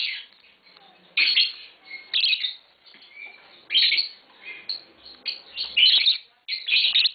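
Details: Tame green Fischer's lovebird pair chirping: a run of shrill, rasping squeaks and chatters, loud bursts alternating with quieter twittering over several seconds.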